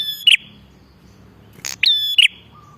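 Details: Bar-winged prinia calling vigorously, used to attract prinias: a sharp buzzy note, a pause, then a loud ringing double call followed by a short flat tone.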